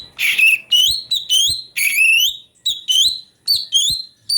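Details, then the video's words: Cucak cungko (chestnut bulbul) song used to train magpie-robins: loud, clean whistled phrases, each rising sharply, with short gaps and soft clicks between them. "CUCAK CUNGKO||fariasi suara cungko buat masteran murai"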